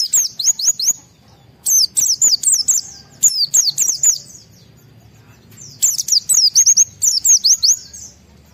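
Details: Agitated white-eye delivering wild-style song to trigger singing in other white-eyes: four tight clusters of piercing, zigzagging high whistles, each run lasting about a second, separated by short quiet gaps.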